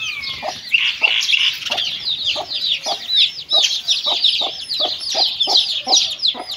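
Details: Mother hen eating with her chicks: short low clucks repeated roughly every half second beneath a busy stream of high, thin chick peeps.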